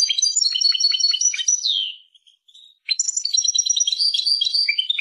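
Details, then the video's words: European goldfinch singing in the Persian manner: rapid tinkling twitters ending in a falling slur, a soft gap, then another bright run of chattering notes. "Persian goldfinch songs اواز سهرهاي اروپاي"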